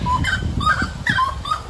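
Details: A pair of wood-rails in Costa Rica in March calling back and forth to each other in short, clear, whistled notes, several overlapping phrases within two seconds, with a low rumble of background noise.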